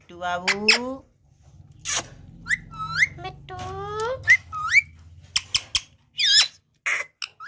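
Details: Pet parrot, called Batooni Tota, talking indoors: a run of harmonic, speech-like syllables with sliding, upward-curving tones, short sharp squeaks and whistled notes, broken by brief pauses.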